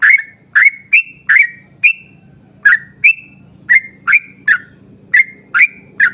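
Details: Lure song of a yellow-vented bulbul, meant to prompt other bulbuls to sing: loud, liquid whistled notes in uneven bursts, some sliding upward into steady tones, with a continuous low hum behind.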